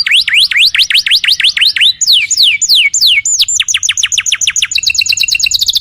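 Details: Lively canary song used as a lure to draw an immediate answer from other canaries: swooping whistled notes repeated quickly, then slower long downward slides, ending in a fast, even trill of short high notes.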